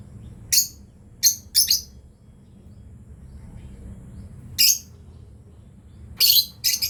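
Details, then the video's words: Shrill, abrupt chirps from a breeding pair of lovebirds, coming singly or in pairs: three early, a long pause, then three more near the end. "Lovebirds chirping sound"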